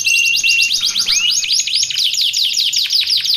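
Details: Canary song played to train and lure canaries: a steady whistle followed by quick repeated down-slurred notes and chattering trills, bright and high-pitched throughout.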